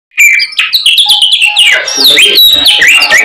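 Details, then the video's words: White-rumped shama in full voice, performing its complete set of learned fill-in phrases: a dense stream of sharp whistles, rising sweeps and quick chattering notes after a brief silent start. "BURUNG SAMYONG GACORR FULL ISIAN"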